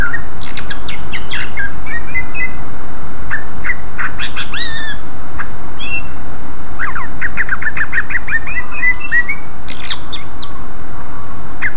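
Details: {'caption': 'Greater green leafbird singing loudly and continuously, used as a lure to draw replies from other leafbirds: a busy run of sharp, squawky chirps and short slurred whistles with steady hiss underneath.'}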